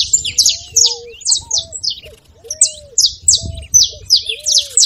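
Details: A saffron finch sings to warm up a silent canary. Its bright, buzzy high notes come in quick pairs and triplets, broken by a short lull, while quiet, drawn-out lower whistles sound in the background.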